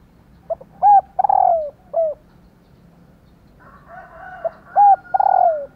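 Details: Female spotted dove coos meant to get males calling in reply: two phrases of short notes and a long, purring, falling coo, separated by a faint crowing rooster in the distance.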